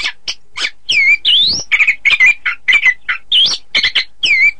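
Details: Orange-headed thrush singing, a recording meant to teach birds for song contests: loud, varied phrases mixing sharp chips with sweeping whistles that rise and fall, delivered in quick bursts with brief pauses.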